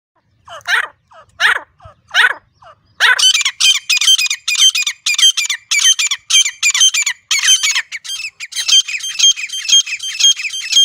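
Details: Wild grey francolin recorded in a natural setting, its call used for hunting: three rough notes, then a loud, fast run of harsh, high, ringing notes repeated about twice a second, continuing to the end.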